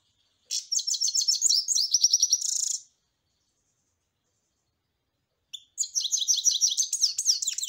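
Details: Goldfinch singing in two long bursts of fast, high, twittering and tinkling notes, roughly four per second, separated by a few seconds of silence.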